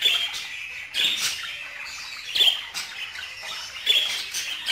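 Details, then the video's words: Busy budgerigar chatter with harsh squawks about every second or so, mixed with continuous raspy twittering and chirps. "اصوات طيور البادجي"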